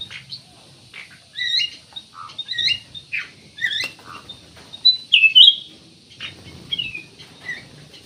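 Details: Black-naped oriole (kutilang emas) in full, lively song meant as a lure for other birds: a busy run of short whistled notes and chirps, some swooping down, with a louder fluty burst around the middle.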